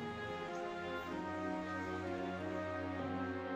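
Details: Slow orchestral music with sustained string chords plays throughout, and no animal sounds are heard.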